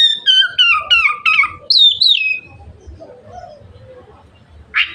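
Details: Oriental magpie-robin in energetic 'gacor' song meant to spur other magpie-robins to open their tails: five quick descending whistled notes in rapid succession, then two high wavering whistles that fall away, followed by quiet and a brief harsh note.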